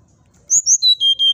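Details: Brown-chested jungle flycatcher song used to provoke rival birds into responding: five clear whistled notes, each slightly lower than the last, high and thin, spaced about a fifth of a second apart over a quiet background.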